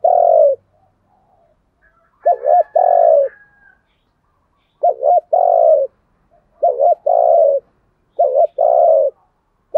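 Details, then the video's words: Spotted dove kept as a decoy, cooing to lure wild doves. Five low coo phrases over ten seconds, each a wavering double note followed by a steady hum, with brief gaps between. "chim cu mồi thúc gù bài bản nhất hiện nay, chim cu gáy kích bổi hiệu quả nhất hiện nay"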